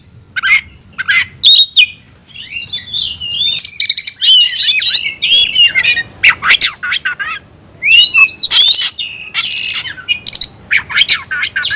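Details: Oriental magpie-robin, caged, of the new 'tayoraky' variant, pouring out a long, fast, varied song of clear whistles, scratchy notes and sharp chips, nearly continuous across the whole stretch.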